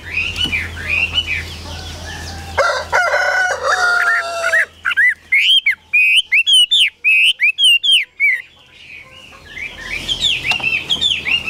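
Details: Caged Chinese hwamei, a tame bird offered for sale, sings a run of loud, clear whistled notes, each rising then falling, after a stretch of rustling and clattering noise. More fainter whistling returns at the end.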